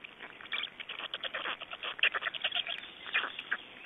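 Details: Estonian black storks at the nest during feeding, 26 May 2012: irregular, hoarse, clipped notes scattered in quick succession, some louder squeaky accents among them.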